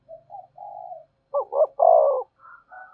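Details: A spotted dove's coo used to lure wild doves: soft low introductory notes, a sharp double stutter, then a loud, mellow, slightly falling coo, followed by faint higher notes.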